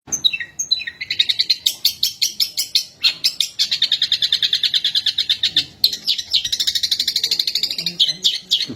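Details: Long-tailed shrike song filled with sparrow imitations. It runs as a fast, unbroken string of sharp high chirps, about six per second, that opens with a few downslurred whistles.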